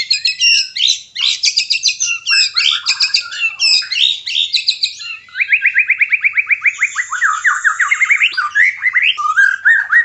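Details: White-rumped shama kept in a cage, song meant to bring on mating: loud, continuous rapid trills of repeated notes, first high and buzzy, then a lower steady rattle of even strokes, plus a thin high whistle.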